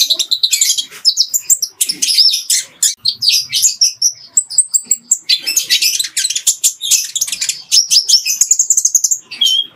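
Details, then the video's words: Clear Ruby-cheeked sunbird training song laced with fighting-sparrow phrases for tutoring other birds: dense, high, twittering chatter of fast chirps with a few sustained thin whistled notes near the end. "MASTERAN JERNIH KOLIBRI NINJA ISIAN GEREJA TARUNG"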